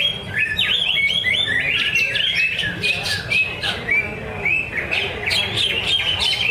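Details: Greater green leafbird (cucak ijo) at a bird-singing practice contest in Cikunir. A continuous stream of chattering, jerky whistles that rise and fall quickly, with a faint low background hum.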